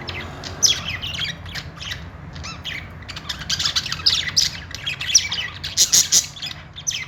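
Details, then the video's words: Pet budgies making happy sounds: a continuous flock chatter of scratchy squawks, quick warbles and high chirps, building into denser bursts from three seconds onward, with a faint low hum underneath. "cute budgies making happy sounds.budgie call sound."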